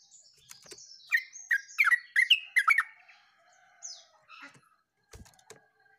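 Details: Yellow-vented bulbul singing: a run of loud, bubbly, liquid notes near mid pitch, about seven quick phrases in two seconds, then softer scattered notes, a few thin high chirps and clicks over quiet background.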